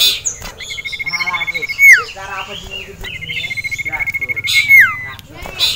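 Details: Agitated caged male sirtu reacting to a rival and a female: two long, even, fast trills on a steady high note, each closing with a falling slur, against scattered chirps and low background noise.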